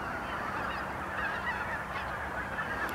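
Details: On a frozen morning at the Blankaart, a waking flock of greater white-fronted geese keeps up a steady wall of overlapping honks, yelps and chattering cackles, with no pause between the calls.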